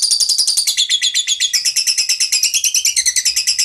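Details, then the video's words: Lovebird giving a long 'ngekek' trill in reply to another bird's sound: a dense, high, chattering run of rapid notes, about eight per second, held unbroken throughout with no pause, over a quiet background. "BARU DENGER LANGSUNG NYAUT, Suara Lovebird Ngekekk Panjang"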